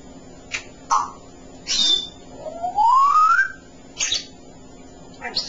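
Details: A male pet African grey parrot chatters indoors in short speech-like bursts, with a long whistle that slides upward and a brief high whistled note, while a person talks nearby.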